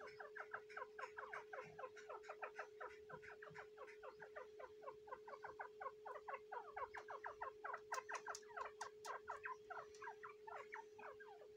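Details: Female grey francolin (teetar) sitting on eggs on the tenth day, breeding season: long runs of quick, sharp descending chips, about four a second, over a steady electrical hum.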